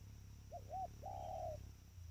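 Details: Single phrase from a trained spotted dove: two quick soft hoots followed by a long, level, grainy coo, with low background hum.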